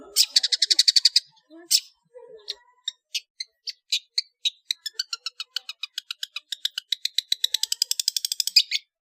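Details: Long-tailed shrike singing in the loud ngeplong style, full of fill phrases, for use as a master recording to train cage birds: buzzy chatter, then a long run of sharp clicking notes that speeds up toward the end.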